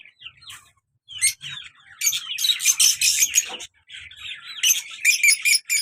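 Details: Lovebird pair kept as pets, colour male and black-masked female; a few soft chirps, then bursts of loud, harsh repeated squawks and shrill chattering.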